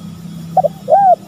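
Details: Spotted dove lure recording, male and female: a short double coo, then a longer arched, hoarse note and the start of another, over a steady low hum.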